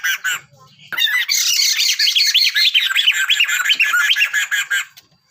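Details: Sunda laughingthrush pair, male and female, calling together: a few sharp notes, then a sustained, rapid, rhythmic cackling chorus of loud harsh syllables lasting about four seconds.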